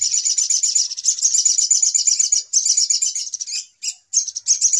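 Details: Noisy sunbird lure recording meant for trapping birds: a fast, shrill, buzzy chatter of tightly repeated high notes, with brief breaks near the end before the chattering resumes.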